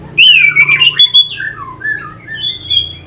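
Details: Orange-headed thrush lure song meant to spark fighting spirit: a loud, clear, descending whistle running into squawky, wavering notes, then softer slurred phrases.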